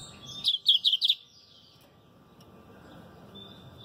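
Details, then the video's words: [1, 'Lined Seedeater song: a quick burst of four or five bright, clipped high notes, then quiet background hiss.'] "Canto número 13, Bigodinho."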